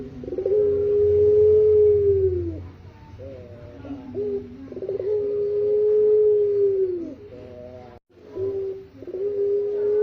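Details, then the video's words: Pelung puter, the Eurasian collared dove, in a masteran recording for songbird training: a repeated phrase of short throaty notes and a long, smooth, drawn-out coo, heard twice, with a low rumble underneath. "Burung pelung puter suara masteran"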